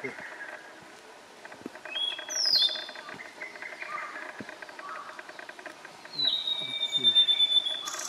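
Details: Male blue-and-white flycatcher singing on 18 June 2021 along the Morito River, Kanagawa Prefecture, Japan: two short clear whistled phrases with sliding, descending notes, separated by several seconds of low background noise.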